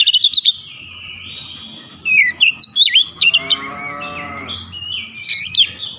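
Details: Kacer, the Oriental magpie-robin, delivering its 'nembak' shooting song with repertoire unloaded: quick chipping notes, a long rising-falling whistle, then jerky whistled phrases over a steady low droning hum in the background.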